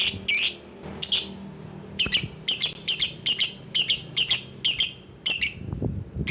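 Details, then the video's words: Rival-calling lure sound from a lovebird: steady string of about a dozen loud, raspy, high-pitched squawks, evenly spaced roughly every third of a second, with low hum underneath. "Burung LOVEBIRD Ampuh memanggil lawan"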